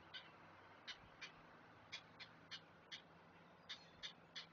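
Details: Nestling great blue herons calling as an adult feeds them, Chesapeake nest camera: a loose series of dry, clicking 'ack' notes, roughly three per second, some doubled, with steady low background hum.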